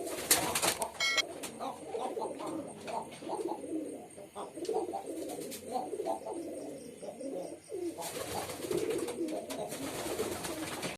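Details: Male pigeon performing, giving continuous low rolling coos layered with other cooing nearby, with bursts of hissing noise and clatter at the start and from about eight seconds.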